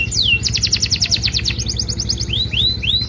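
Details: Singing canary giving a luxurious 'cengkok mewah' song used to train other canaries: one long descending swoop, a fast series of sharp downstrokes, then slower rising arched whistles, accompanied by a low droning background hum.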